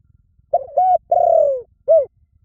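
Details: Spotted dove phrase of four soft, low coos: short, level, long and sliding downward, then a brief rounded final note, over a quiet background.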